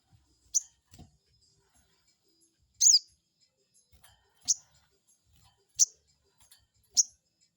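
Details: Crested jay call used as a lure to provoke a rival: short, sharp high-pitched notes sounding at irregular gaps, one louder burst near the end, with faint low knocks beneath.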